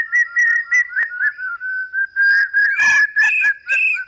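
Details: Common Hawk-Cuckoo male calling to court a female and hold his territory. Repeated clear whistled notes at an even pitch give way to louder, rougher, rising notes in quick succession, with possibly more than one caller.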